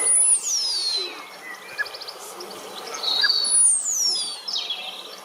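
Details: Ornamental starling giving high, clear whistles that slide steeply downward, one near the start and another about three seconds later, with faint shorter notes between over a steady background hiss.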